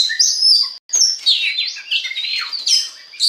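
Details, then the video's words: Oriental magpie-robin singing to spur other birds into song: quick high whistles, warbled slides and sharp chirps, broken by one short silence. "DI JAMIN BIKIN KACER LAIN AUTO GACOR DENGAN PANCINGAN BURUNG KACER INI"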